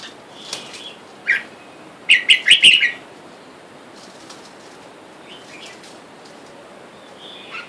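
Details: A wild-caught male and female red-whiskered bulbul in a cage, while wild birds outside call for a mate. After a few scattered soft chirps comes one loud burst of four quick, bright, bubbly notes, followed by faint rustling and quiet chirps.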